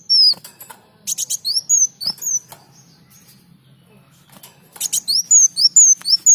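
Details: Sunbird (kolibri daun) singing energetically, kept as a master recording to train other birds: bursts of high, thin, downslurred whistles mixed with dry clicking chatters, separated by a long pause.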